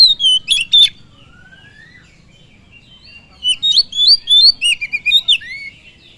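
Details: Kacer, the oriental magpie-robin, sings to rouse other birds: a quick whistled phrase, a soft rising slur, then a long pause before a dense run of sharp, sliding whistles and chirps.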